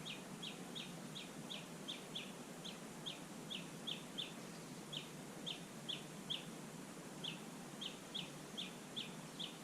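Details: Japanese bush warbler at Susan-ri on 18 July 2020: a long series of short, sharp, high down-slurred notes, each about a third of a second apart, with brief pauses between runs, over a soft steady background hiss.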